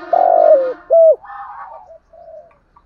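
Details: Spotted dove (cu gáy) cooing to excite a decoy bird: one long slurred coo, then a short sharp note and a fading softer trailing coo.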